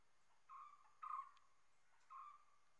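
Common hawk-cuckoo giving three shrill, whistled notes in quick succession, the middle one loudest, over a quiet background.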